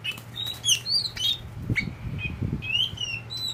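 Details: Tame caged oriental magpie-robin (kacer poci) giving several clear whistled notes and slurs, some rising, between fluttering and rustling sounds, over a noticeable low hum.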